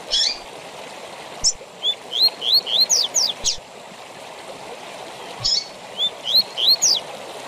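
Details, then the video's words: Double-collared seedeater giving its tui tui zel zel song, used for training captive birds. Two phrases of rising whistled notes and descending zels, each led by a short buzzy note, heard over steady hiss like a stream. "TUI TUI ZEL ZEL DE FIBRA TOP PARA ENCARTE DE COLEIROS E PAPACAPIM!!!"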